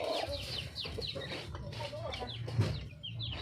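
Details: Wild red junglefowl hen calling to find a mate: short low clucks and warbling notes, overlaid by repeated thin descending chirps, with a constant low drone in the background.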